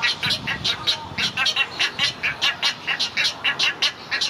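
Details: Great egret chicks begging while a parent feeds them at Gatorland on 15 April 2021: a steady run of harsh, scratchy clucks, about five each second, rising and falling in loudness over soft background rumble.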